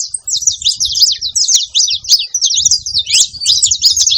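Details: Saffron finch, male and female in the wild, singing a continuous run of bright, quick chirps and twittering notes, high and slightly buzzy, with low rumbling background noise.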